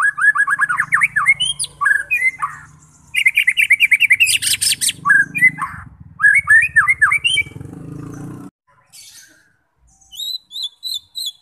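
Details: White-rumped shama song aimed at provoking fighting shamas to sing: rapid varied phrases of slurred whistles and harsh rattles in quick succession over a faint low hum, ending with short high thin repeated notes.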